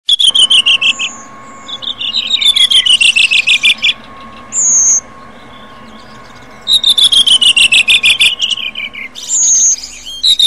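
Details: Redwing song: loud phrases of rapid high chattering notes sliding downward, each lasting about two seconds, alternating with short pure whistled notes, over a steady low hum.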